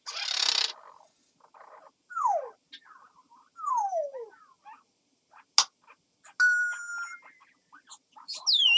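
A grey parrot mimics a crow: a harsh rasping burst, then falling whistled sweeps, clicks, and a few flat, level whistles, all spaced by short pauses.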